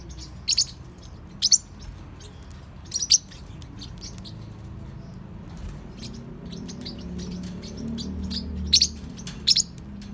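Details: Playful juvenile Forpus parrotlets aged 3–4 months give sparse, sharp, high-pitched chirps, single or in pairs, spaced a second or more apart, over a faint low background hum.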